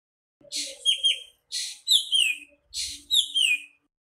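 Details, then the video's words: Three near-identical phrases from a singing nightingale, about one per second: each opens with a hoarse buzzy note and ends in two sweet, downward-sliding whistles. "Singing nightingale. The best bird song."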